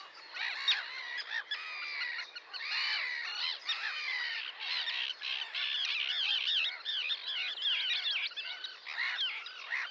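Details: Sandwich terns in full cry, loud overlapping harsh calls with arched, buzzy notes from many birds, continuous for the whole stretch.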